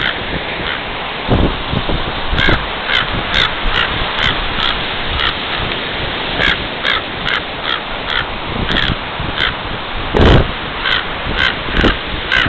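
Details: Agitated raven calling on Baker Beach, San Francisco, in late June 2010, seemingly defending a nest close by. A steady series of rough, croaking caws comes in clusters through strong wind buffeting and ocean noise.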